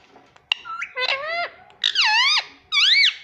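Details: Household rose-ringed parakeet, said to say "mummy papa": a sharp click, then three drawn-out, wavering harmonic calls that dip and rise like speech-like intonation, each about half a second long.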